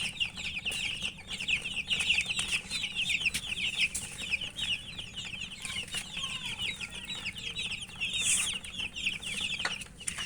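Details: A flock of chicken chicks eating and chirping nonstop, countless high, quick downslurred peeps blending into a thick chorus, with frequent sharp taps and clicks.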